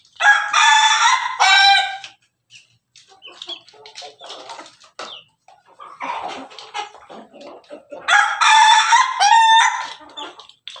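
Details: Perched on top of its cage, a red Ayam Ketawa rooster crows melodiously twice, at the start and near the end. Each crow is a loud, rich, choppy run of notes, with quieter clucking and shuffling in between.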